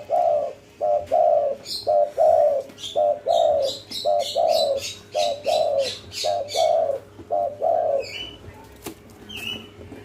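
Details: Spotted dove of a local strain, cetrekan call style said to prompt answering doves within five seconds: about ten repeated short-long coo pairs at steady pace for eight seconds, with high chirps from small birds overhead.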